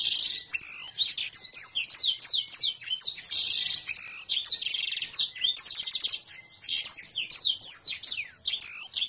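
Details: Canary singing a long, high-pitched medley of quick slurred notes, clipped chirps and rattling rolls, delivered almost without a break, with a brief dip in loudness near the middle and end.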